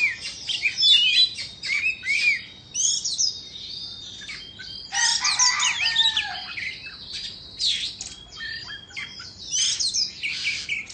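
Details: Long stretch of white-rumped shama song, an Indonesian bird dancing as it sings: bursts of crisp chirps and whistles separated by short pauses, some phrases harsh and buzzy.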